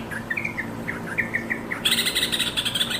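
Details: Yellow-vented bulbul calling its companions: a quick string of short bubbly whistled notes at fairly even spacing. These give way after about two seconds to a dense, harsh, buzzy chatter.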